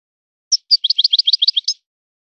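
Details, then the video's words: Short song phrase from a European goldfinch in a specific learned style: two clear high notes, then a swift alternating twitter of rising and falling chirps, in silence. "طائر من طيور لي تاتغرد على نمط طيور سي حسن الكلوب ولد الغابة"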